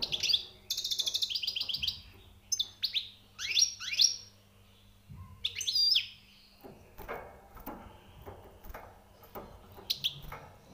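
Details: European goldfinch singing in a small room, with bright twittering phrases of rising and falling notes, pauses between bursts, and a steady low electrical hum underneath.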